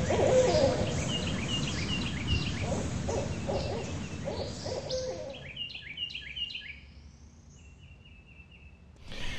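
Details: A Barred Owl near Spiro, Oklahoma, in the Arkansas River Valley, gives a brief, low hoot at the start over a steady background rumble, followed by high, quick chirping series from smaller birds.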